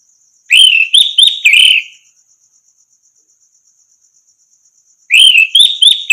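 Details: Orange-headed thrush as a tutor song for teaching other birds: short bursts of four or five loud, clear warbled notes, a three-second pause, then the phrase again, with a faint continuous high ticking throughout.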